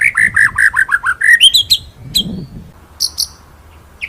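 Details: White-rumped shama song used as a master recording for training other birds: a run of rapid downslurred whistled notes repeated about every 0.15 seconds, then higher sharp notes and brief chirps.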